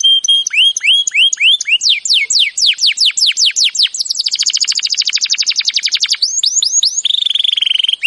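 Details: Canary song for training: short rising whistles and downward-sweeping notes, then a dense rapid trill of repeated chips, more looping sweeps and a closing buzzy rattle, loud and clear without background noise.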